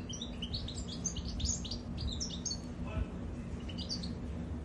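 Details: Goldfinch singing a rapid, continuous twitter of high, bright chirps and trills that run nearly unbroken through the whole stretch, with a low steady hum underneath and a brief lower voice-like sound around the middle.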